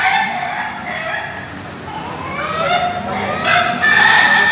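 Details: Indonesian laughing chicken (Ayam Ketawa) in a pen during a PAKEB Bogor group training. Softer, sliding crow notes from several roosters overlap, then a louder, steady, ringing crow closes the clip.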